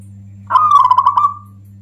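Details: Loud song of a local Zebra Dove, used to provoke other doves and to coax reluctant ones into calling: a single quick rolling coo of rapid beaded notes lasting about one second, with faint background hum.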